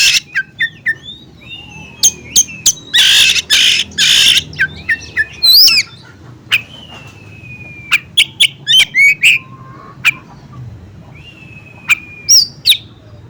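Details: Bar-winged prinia, or ciblek gunung, in a recording combined with oriental magpie-robin song to provoke other birds: scattered long thin whistles and sharp clicks, two loud harsh bursts early on, over a quiet low hum.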